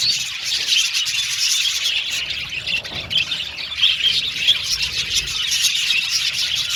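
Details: Aviary colony of budgerigars singing and chirping together: steady high-pitched warbled chatter, busy and overlapping, with scattered sharper squawks and small dips in loudness around the middle.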